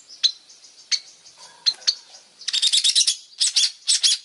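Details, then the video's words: Highly vocal long-tailed shrike: a few sharp single notes over faint background chatter, then rapid grating rattling bursts and short harsh phrases. "Suara burung pentet super gacor"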